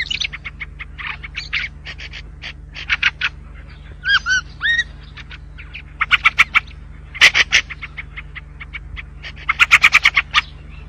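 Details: White-spectacled bulbul singing in bursts of rapid clipped chirps, with a clear phrase of three or four descending whistled notes in the middle, all over a constant low hum.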